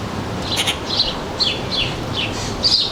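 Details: Backyard feeder visitors in suburban northern New Jersey, 3 July 2022, late afternoon: a quick string of about six bright, slightly descending chirps across three seconds, with faint background hum.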